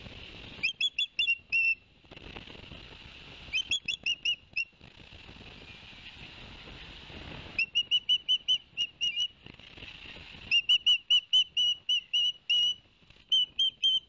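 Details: Ospreys at Barnegat Light, New Jersey, 11 September 2021, male having brought two fish to the young: clusters of three to six clipped high whistles separated by gaps filled with a soft hissing rush.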